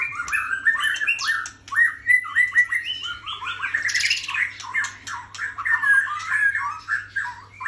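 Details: White-rumped shama singing: a continuous, rich stream of varied whistled and chattering phrases, fast and tumbling, with a louder burst near the middle; a steady low electrical hum runs underneath throughout.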